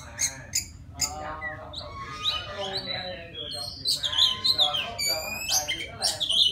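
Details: White-rumped shama from the wild singing to attract a female, opening with lower harsh harmonic notes, then bright whistled phrases and downslurred trills rising in pitch toward the end, delivered in uneven bursts.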